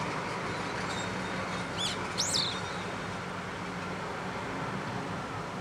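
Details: Daurian redstart by a river in the mountains of Kanagawa Prefecture, Japan, on 16 November 2011, giving two sharp, high whistled call notes close together, the second sweeping steeply upward then dropping, over steady low background hum.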